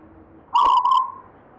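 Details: Local wild-type zebra dove (perkutut) inherited from a grandfather, singing in the gayer style: one short, rich coo phrase near one pitch, opening with a bright burst, then a sustained fading tone in a quiet setting.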